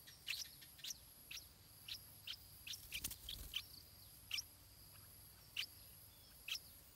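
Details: Stripe-throated bulbul chick in its nest, fed by its parents, giving thin, high, sharp begging chirps repeated roughly every half second, with a brief soft thump partway through.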